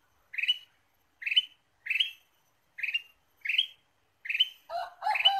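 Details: Lure song of a Ruby-throated bulbul for bird trapping, given as short whistled phrases repeated at a steady pace of about one every second. The last phrase runs into a richer, lower warbled note. The background is quiet.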